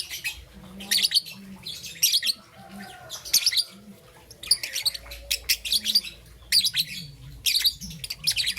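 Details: Young peach-faced lovebird, green and yellow, in the morning, giving bursts of shrill buzzy chirping roughly every second, with low hum-like sounds underneath.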